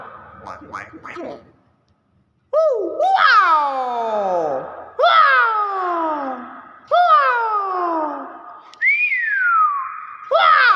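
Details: Common hill myna of the intermedia subspecies, Thailand: a few low voice-like sounds, a pause, then four loud harsh downslurred calls about two seconds apart, ending with a clean descending whistle.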